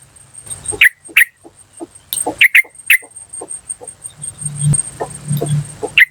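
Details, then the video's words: Yellow-vented bulbul from the wild, played to lure others: sharp 'cuk' notes in pairs and singles mixed with softer chips and chatter, plus a thin steady high whine and low murmur. "PANCINGAN TRUCUKAN BAHAN Asli Suara Alam Liar CUK CUK CUK memanggil"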